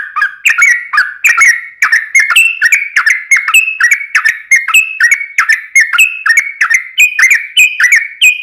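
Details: Yellow-vented bulbul singing chatty fighting song to provoke other birds: long unbroken run of bubbly, slurred whistled notes, climbing slightly in pitch toward the end.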